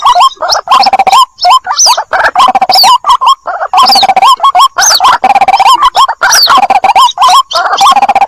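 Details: Young white-breasted waterhen calling to its mother, used as a lure sound: a continuous, loud, nasal chatter of hooked, wavering notes run together, with barely any quiet between them.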